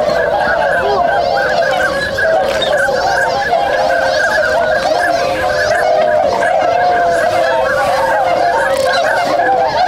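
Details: A large group of swans in Inzai, Chiba, Japan, waking and starting to move on a January morning in 2022; a steady wall of overlapping trumpeting honks that carries on without a break.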